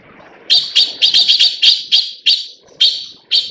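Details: Taiwan blue magpie (Urocissa caerulea) gives about ten harsh, grating notes in a loose, uneven chatter, roughly three or four a second, over faint background noise; a rare leucistic white individual also features alongside blue birds.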